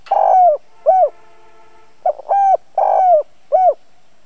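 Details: A caged spotted dove used as a lure bird, giving the chiêu thúc bổi call to attract wild doves: mellow hollow coos, each falling slightly at its end, in a steady run of about six notes over four seconds.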